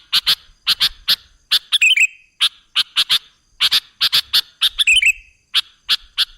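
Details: Sooty-headed bulbul sound played as a lure to draw other birds: short sharp paired notes repeated about every half second, broken twice by a quick warbled, bubbly phrase.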